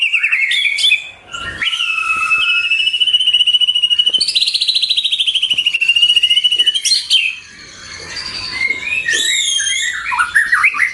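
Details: White-rumped shama song offered as a lure and training recording for pet birds: loud, varied, ringing whistles, a long buzzy rattling phrase, then bright rising and falling whistled notes, all clear and close.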